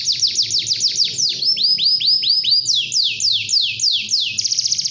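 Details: Canary singing at dawn to spur other canaries on: a lively sequence of clear downward-sweeping whistles in groups at different speeds, finishing with a very fast high trill.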